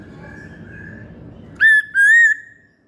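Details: Masked laughingthrush: soft level whistles followed by two loud, clear held whistles on one pitch, the second one longer. Quiet after that.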